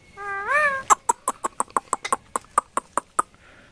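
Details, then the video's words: Pet rose-ringed (Indian ringneck) talking parrot gives a brief, voice-like wavering syllable, then a quick run of about thirteen sharp clicks, roughly five per second, amid speech-like mimicry. "কথা বলা টিয়া পাখি"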